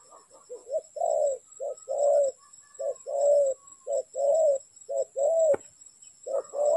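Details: Spotted dove cooing during bird trapping, repeated low two-part phrases of a short note and a longer mellow coo, with a sudden sharp knock midway.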